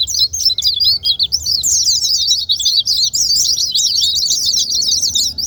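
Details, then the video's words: Energetic white-eye song aimed at coaxing silent white-eyes to sing: quick, jerky high notes, slightly spaced at first, then a dense rushing chatter from midway onward over a low steady hum. "Pancingan terapi super gila ll buat pleci yang malaz bunyi"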